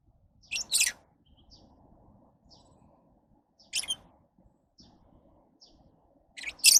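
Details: Lovebirds uttering sharp, piercing double chirps at intervals of about three seconds, with soft low rustling noise in the background.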